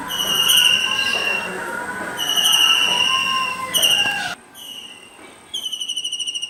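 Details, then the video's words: Blue kingfisher calling in India: bursts of high, shrill, rapidly pulsed whistled notes on one pitch, repeated several times. Lower whistles and sliding tones sound underneath, and the recording cuts abruptly partway through. "Blue Kingfisher Bird call || Real sound of Kingfisher"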